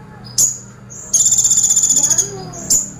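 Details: Sunbird singing 'tembakan pelatuk', a woodpecker-like burst style: sharp very high chip notes, then a rapid pulsed trill of about twenty beats lasting one second, ending with another piercing chip over faint low hum.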